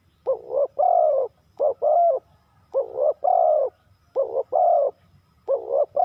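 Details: Repeated two-part coos from a spotted dove in the 3-kuk hanging pattern. A brief note leads into a longer, mellow, wavering coo, and the phrases follow one another steadily with short breaks.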